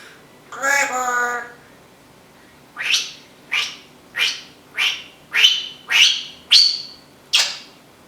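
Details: Talking female Timneh African grey parrot, a household pet that imitates packing tape and vacuum noises; one drawn-out harmonic voice-like call, then eight harsh rasping bursts repeated roughly every 0.6 seconds, growing slightly louder.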